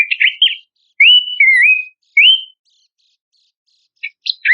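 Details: Horsfield's babbler song compiled as training material for contest songbirds: loud, clear whistled slurs, some rising and some wavering, separated by short pauses, ending with a few sharp notes.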